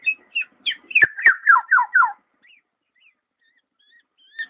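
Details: Black-naped oriole giving a quick run of fluty, slurred whistles that drop in pitch. Two sharp clicks sit in the middle, then comes a pause with a few faint, thin notes near the end.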